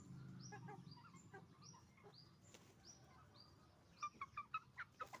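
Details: Chicken farm with roosters and hens calling: thin, high, upward-hooked chirps repeated about every half second, a few soft clucks, then a quick run of sharp, evenly spaced pulsed notes near the end; low hum early on.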